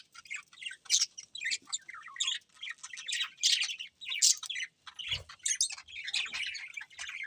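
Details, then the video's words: Pet budgies chirp in separate short, sharp squeaks and scratchy twitters spaced by tiny pauses, building into a busy, uneven chatter with one soft thud. "Adorable Budgies Chirping Sounds"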